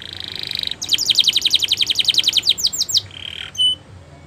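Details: Canary singing for training: a buzzy tone, then a rapid series of about twenty bright descending sweeps, a few slower slurred notes, and short flat tones at the end.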